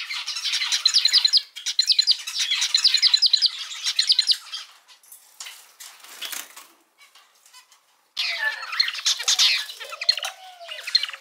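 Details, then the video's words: Pet male zebra finch, one of several colour mutations (normal, pied, black-cheek pied, penguin, fawn), singing indoors: dense buzzy, nasal bursts of song for four seconds, a quieter pause with soft notes, then another burst of harsh rapid phrases. "キンカチョウのさえずり・鳴き声 集めました②｜個性的なオス達 かわいい鳥 Cute Zebra Finch Songs 🎵 sing sounds calls"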